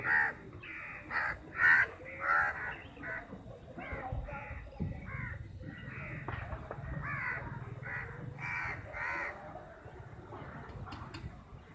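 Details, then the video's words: Many crows fighting over a piece of chapati: a few loud harsh caws at first, then a dense, noisy chorus of softer overlapping caws from the flock, with low rumble underneath. "1 vs 50 crow || crows biggest fight || crow eating chappiti || crows sound"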